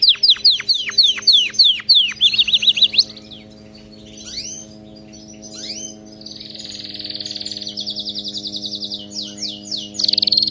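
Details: Training song of a canary: a run of rapid descending swept notes opens, followed by a quieter stretch, then steady rattling rolls and a bright trill near the end.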